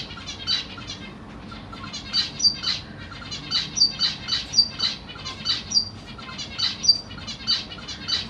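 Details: Captive zebra finch family of the Black Cheek type, recorded 25 June 2023 while parents fed their babies; steady stream of bright, nasal tweets, roughly four per second, loud and irregular.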